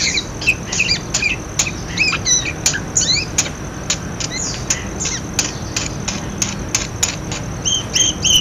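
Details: Budgerigar chatter meant to coax quiet budgerigars into calling: quick, scratchy, up-and-down chirps in a steady stream, broken by sharp clicks.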